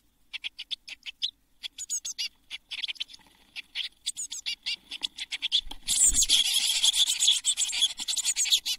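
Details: Seven Eurasian blue tit nestlings inside a nest box shortly before fledging on 24 June 2022: rapid high, wheezy chirps repeated several times a second, then a loud rustling flutter of wings over continuing calls.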